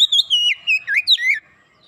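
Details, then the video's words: Oriental magpie-robin (kacer) in fast 'gacor' lure song for a silent bird: a short sequence of clear whistles gliding down from a high start, with quick upward and downward slurs, ending abruptly. "sekali pancing Kacer macet bunyi cepat gacor"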